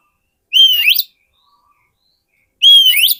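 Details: Oriental magpie-robin song used as a lure for wild birds: two loud bursts of clear whistles with a gliding slur, separated by two seconds of silence.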